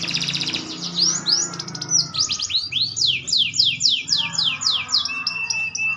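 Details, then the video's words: Green canary growing older sings a buzzy rapid rattle, then a long run of ringing falling whistles repeated about four per second, with a steady low hum beneath. "burung kenari hijau makin dewasa wakin baik kicauan nya"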